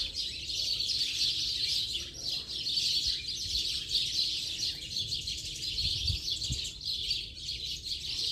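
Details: Many house sparrows chirping together at dusk-time gathering in late afternoon, an unbroken, bustling high-pitched twitter with gentle swells in volume, plus occasional low knocks and distant rumble.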